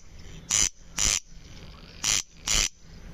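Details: Corn crake (Crex crex) giving its dry, rasping double call: two pairs of harsh, scraping bursts, each pair about half a second apart, over quiet low background hiss.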